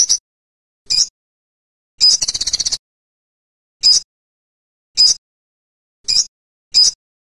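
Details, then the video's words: Olive-backed sunbird giving short, very high, thin chirps about once a second, broken by one quick buzzy trill; nothing else is heard. "Olive_backed Sunbird | Bird sound"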